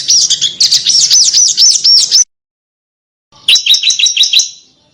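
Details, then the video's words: Small bird from an Indonesian master recording meant to train competition cage birds: fast, sharp, high trills of repeated chip notes in two bursts separated by a second of silence, very dense and piercing. "Suara BURUNG KECIL !!! MASTERAN BURUNG KECIL TEMBAKAN TAJAM DAN SUPER PEDAS"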